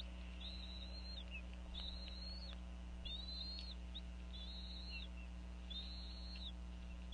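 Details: Female bald eagle calling over a fish as eaglets are fed at a nest in Northeast Florida late in the afternoon: a series of high, thin, slightly wavering whistles spaced roughly a second apart, with constant background hum.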